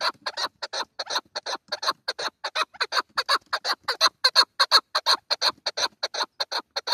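A chukar partridge gives a fast run of harsh, chuckling notes, nearly three per second, steady and rhythmic throughout.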